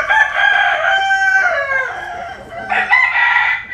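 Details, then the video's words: Cock of Asil or Cuban type in the Mekong Delta countryside of Vietnam, sunbathing and crowing: one long, strained harmonic crow that sags in pitch, then a brighter second crow begins near the end. "Nghe Gà Gáy"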